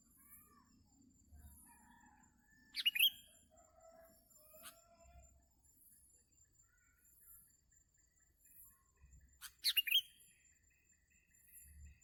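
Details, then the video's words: Sooty-headed bulbul recorded during bird trapping; two loud, harsh chirping bursts about seven seconds apart, with faint whistles, distant high hissing calls and low rumbling in the background. "MIKAT BURUNG KUTILANG SERU"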